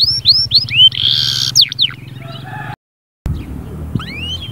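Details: Canary song used to stir a silent canary into singing: sharp rising and falling whistles and a fast buzzy trill, broken by a brief silence, then thin sweeping notes over a steady low droning background.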